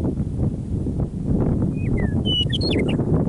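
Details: Meadowlark song on Alberta prairie near Michichi Dam, Drumheller, Canada, early spring evening after winter: two slurred falling whistles, then a rapid jumble of bright, warbled notes, with steady low wind noise underneath.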